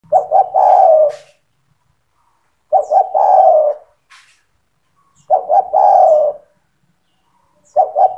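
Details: Spotted dove in gacor (vigorous) song, used to train young doves to start calling: loud cooing phrases of two short notes then a long descending coo, repeated about every two and a half seconds, with faint high chirps of other small birds.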